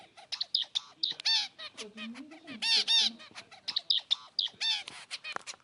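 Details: Active zebra finch calling: bright, nasal, honking beeps repeated in uneven clusters, some doubled. A faint low warbling tone runs beneath, and clattering clicks come from a budgerigar sitting on top of the camera.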